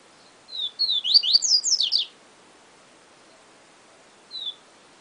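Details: Yellow-bellied seedeater, locally papa-capim, with one 'Siu Siu Professor' phrase of falling whistles and fast crisscrossing rising and descending notes, two brief clicks, then silence before a single lone whistle.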